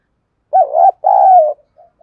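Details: Spotted dove in southern Vietnamese đồng pha style, recorded to draw wild doves into singing: a strong wavering coo followed by a longer level-then-falling coo, with small soft notes trailing after.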